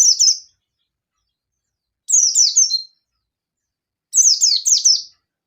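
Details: Local Oriental white-eye singing ngalas style to provoke a rival: three clusters of high, piercing, down-slurred notes, two to four per cluster, coming about every two seconds in otherwise silent surroundings.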